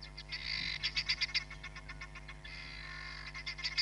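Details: Hamerkop at Nkorho Bush Lodge, South Africa, 31 July 2021, giving rapid, high, squeaky yipping notes, about four a second, running into a brief buzzy trill, over a steady low electrical hum.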